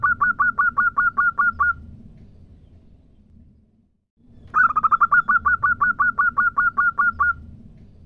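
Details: Local zebra dove female calling to a male: a fast train of about twelve crisp repeated notes, a short quiet gap, then a longer burst of rapid, slightly rushed notes, with a steady low rumble beneath.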